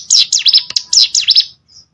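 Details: Short burst of mountain prinia (cigun) song for training competition birds: a handful of sharp high chirps sweeping down and up, then quiet.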